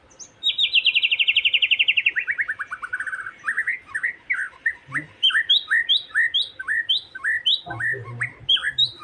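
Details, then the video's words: Loud White-rumped shama song, meant to provoke another shama into singing: a long buzzing rattle of rapid notes sliding downward, then a varied series of sharp, upslurred whistles and chips, with a brief low thump. "Pancingan Emosi Murai Batu Agar Cepat Gacor"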